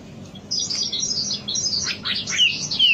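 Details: Wambi lure song: a fast jumble of high twittering notes ending in two clear downward-sliding whistles, with faint low hum beneath.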